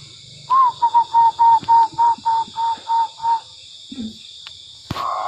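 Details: Tame zebra dove, called perkutut, cooing actively: about eleven short, soft, even coo notes at a steady low pitch, roughly four per second. A steady high hum runs underneath, and a sharp knock comes near the end.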